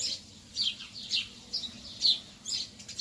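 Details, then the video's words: Early-morning lovebirds chatter with overlapping shrill, scratchy chirps that come in uneven bursts. A low background rumble is present. "تغريد طيور الحب في الصباح الباكر"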